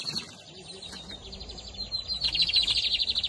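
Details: Double-collared seedeater from Brazil, a bigodinho of the Camelão or Torneiro song style, 2023 season. Thin high notes lead into a rapid, rattling trill that grows louder in the final second, with steady repeated pulses.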